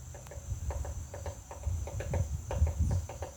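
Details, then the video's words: Irregular woody knocking from a woodpecker pecking at a butterfly house, a few taps per second, set against a noticeable low rumble and a thin steady whine. "Woodpecker pecking butterflies house"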